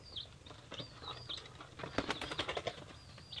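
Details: Three-day-old hatchery chicks of mixed breeds, including Leghorn, Polish, Rhode Island Red, Australorp and Cochin: high downslurred peeps repeated every half second or so, over rustling, scratching and fluttering sounds.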